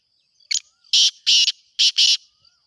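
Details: Black francolin (kala teetar) breeding-season call, close and loud: five harsh, rasping bursts in a rhythmic phrase, a short note then paired grating notes, with a faint high insect hum between.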